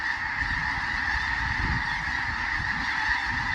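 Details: A flock of several thousand geese honks together in a dense, continuous roar of overlapping nasal calls, with no single voice standing out.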